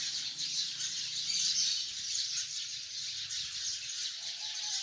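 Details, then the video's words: Sparrows by the hundreds in a tree make a thick, unbroken chorus of shrill overlapping chirps, swelling slightly in the middle, with a faint low hum underneath. "chirping of hundreds of sparrows in the tree"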